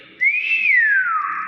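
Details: Nias hill myna, one loud clean whistle that rises to a peak and then slides slowly downward in a smooth curve, with quiet room murmur beneath.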